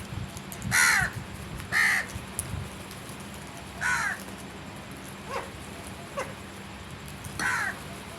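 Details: Crow giving a series of hoarse, down-slurred caws, about one per second at first, then more widely spaced, with quieter, shorter calls between them and a faint low hum behind.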